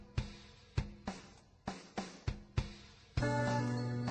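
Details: Sharp drum strikes repeat about every half second, then a sustained tonal chord of instrumental music takes over, with no animal calls.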